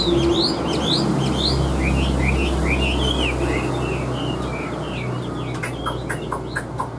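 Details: Caged hwamei with yellow feet and beak, big-bodied, singing: a series of quick rising whistled notes descending into slurred phrases, then sharp clicking notes, all over a strong low rumbling hum.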